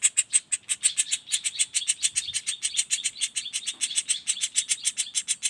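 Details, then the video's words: Juvenile common flameback in continuous rapid roll, uttering sharp, high, chattering notes at about three and a half per second, slightly uneven in loudness, with no pauses. "Suara Pelatuk Bawang Anakan Roll speed tanpa jeda"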